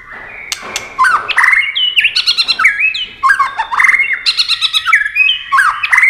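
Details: Speed-duel singing from a white-rumped shama that keeps flashing its wings and playing its tail: dense, rapid chattering and whistled phrases packed back to back, loud and varied with sliding high notes.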